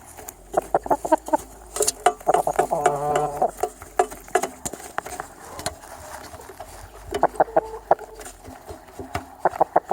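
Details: Chickens pecking at feed, bursts of dry clicking taps throughout, one drawn-out nasal cluck in the middle and a few short clucks later on.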